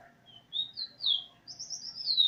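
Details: Eurasian bullfinch practising a song taught by a tutor bird, 13/08/2020, tune almost complete: a short sequence of soft pure whistles, first rising notes, then a higher sustained whistle that slowly falls.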